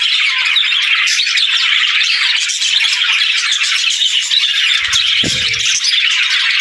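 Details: Continuous flock chatter from budgies: rapid high chirps, trills and scratchy squawks overlapping throughout, with a short low rattling knock near the end.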